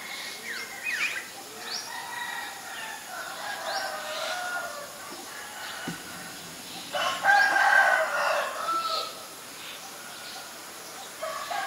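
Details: Common myna, Ubon Ratchathani, Thailand, 7 May 2022, Nikon P1000 recording. Scattered chattering and creaky notes build to a loud, dense, harsh burst near the end, with a soft thump midway.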